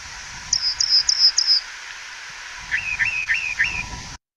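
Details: Rock Wren along the road in Montosa Canyon, Santa Rita Mountains, Southeast Arizona, in spring, singing loudly: a fast run of five high, clipped notes, then four lower, rising buzzy notes, each phrase repeated in quick series.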